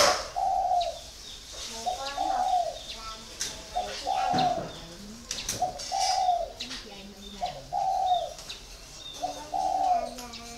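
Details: Spotted dove caged for four years, giving its 'còi' coo: a run of six low, mellow, slightly descending hollow phrases about every two seconds, with faint chirps, clicks and lower murmurs between them.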